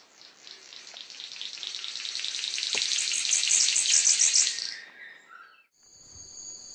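A male King of Saxony bird-of-paradise gives a strange, hissing, static-like crackle that swells for about four seconds and fades. Thin, high whistled notes follow.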